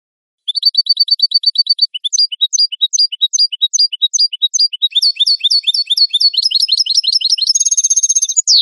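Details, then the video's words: European goldfinch song on a clean tutor recording for captive birds: a fast repeated note run, then sweeping twittered notes that speed up, a buzzy trill and a final downslur. "Canto limpio de Jilguero"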